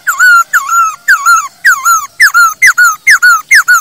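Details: Masked laughingthrush, used as a training master for singing birds, repeating a rich whistled phrase about eight times: each phrase starts with a quick upslur and settles into a level, mellow tone.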